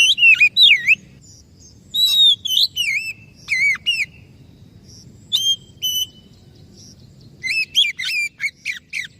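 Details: Oriental magpie-robin song played as a lure so a silent or stressed bird will sing: choppy phrases of swooping whistles in separate bursts every couple of seconds, with short quiet gaps between.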